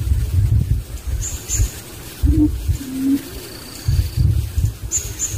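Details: Low hollow hoots from a barbet with its young in natural surroundings, two short notes about a second apart, set against rumbling low background noise and faint high whistles.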